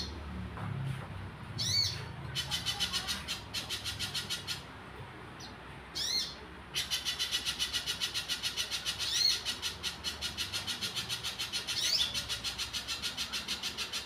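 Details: Little spiderhunter singing in the wild, with bursts of rapid, high, buzzy repeated notes separated by short pauses, plus scattered sharp chip notes between phrases.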